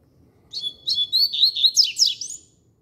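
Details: Double-collared seedeater singing firmly: a bright, high phrase of about two seconds that opens with a thin steady whistle, then speeds into rapid chirps and slurred downward sweeps before stopping, over a quiet background.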